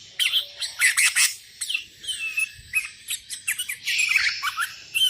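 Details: Sooty-headed bulbul in lively, dense calling meant to challenge rivals, with wild bulbuls answering: bright chirps and short warbled phrases, loud clustered bursts with brief gaps.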